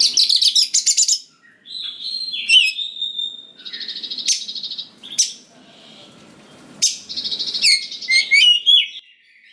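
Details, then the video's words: Oriental magpie-robin in lively song to provoke young forest birds. Fast, harsh, pulsed chatters, long steady whistles, sharp clicks, and quick rising whistled phrases. "Pancingan Suara Dasar Kacer Gacor Cocok Sekali Untuk Pendongkrak Emosi Kacer Muda Hutan Agar Nyaut"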